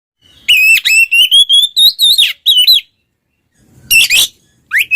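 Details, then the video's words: Two Oriental magpie-robins singing in loud ngeplong style, used to stir silent magpie-robins into song: a series of clear whistles rising slowly from mid to high pitch with harsh overtones, a pause, then a brief burst and a rising whistle. "suara burung Kacer kembar NGEPLONG bikin Kacer bisu ikutan panas"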